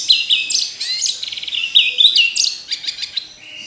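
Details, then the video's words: Orange-headed thrush singing nonstop: a varied run of clear whistled phrases, rising and falling slurs and a fast rattling trill, one phrase after another with hardly a pause. "Anis Merah Kicau Sampai Teler"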